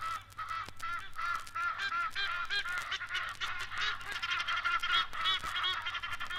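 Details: Egyptian geese alighting noisily at the water's edge of East African lakes and rivers give a busy chorus of harsh, nasal honks, several birds calling over one another in rapid, uneven bursts.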